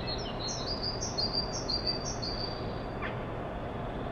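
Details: Wild birds singing on a spring evening in Punkaharju, Finland: about eight high, clear whistled notes in quick succession over a steady broadband background hiss.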